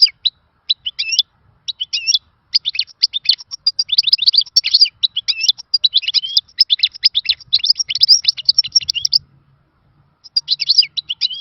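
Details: Khalawi-style song of a European goldfinch, presented as lost from the old days: sparse chirps building into a long, continuous, rapid twittering medley, a brief gap, then more chirps.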